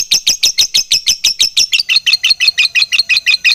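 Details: Lovebird in full song, a fighter-type singer with long chattering and tight gaps: a fast, even run of some twenty harsh, buzzy chatter notes, about five per second, continuing without pause.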